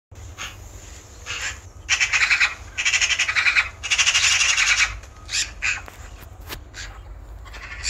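A Eurasian magpie gives harsh, rattling chatter in several bursts of rapid dry notes, with a low rumble of wind underneath.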